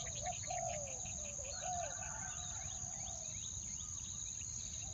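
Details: {'caption': 'Spotted dove used as a decoy, calling to lure wild doves in a two-note style: low, soft cooing phrases that arch and fall, with brief chirps from other birds and a steady high insect whine behind.'}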